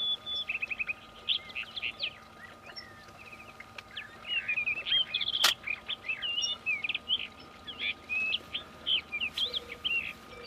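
A young rufous-tailed rock thrush gives rapid, scratchy chirps and short warbled notes, almost continuous, over faint background hum and a single sharp click.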